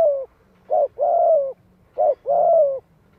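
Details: Decoy spotted dove calling to lure wild doves, in the voice style called giọng hạp: a short coo followed by a longer, slightly descending croo, the pair given twice within three seconds, with a faint low hum behind.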